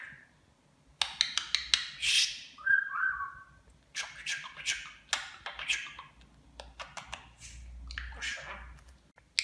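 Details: Talking pet budgerigar mimicking Turkish words; rapid clicks and ticks, a brief whistled warble, then scratchy, chattering speech-like syllables running on for several seconds.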